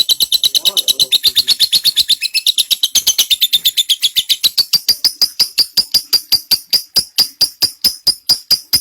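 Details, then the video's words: Ngekek panjang of a lovebird as tutor audio for white-rumped shama: a long unbroken trill of sharp high notes, about three per second, with the notes growing cleaner and more whistled in the second half. "LOVEBIRD NGEKEK PANJANG"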